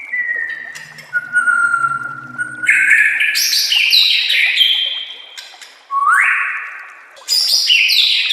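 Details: White-rumped shama master song for training shamas: drawn-out falling whistles over a faint low drone, then loud stepped whistled phrases and a rising slur with sharp clicks.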